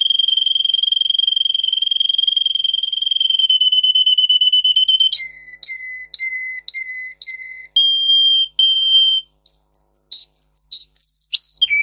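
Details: Russian singer canary tutor song with high-tone variations: a long steady rolling trill gives way to a series of short, lower clipped whistles, a brief flat held note, then quick high chirps and downward slurs.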